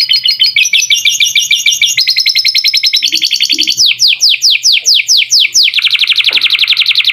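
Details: Canary master song with lovebird-style fill-ins for teaching young birds: fast trills in stepped pitch blocks, then loud descending whistled slurs, ending in a dense rolling trill, with faint low hum.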